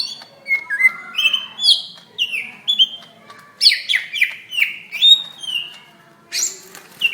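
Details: Loud greater green leafbird fighting call recorded in May 2016 to train other birds: a series of swooping, downslurred whistles, then harsher buzzy notes, and a rasping burst near the end.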